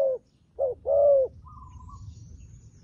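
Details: Decoy dove used to lure wild doves, giving two short notes then a long, even coo, followed by a brief higher chirp from another bird and a soft low rumble.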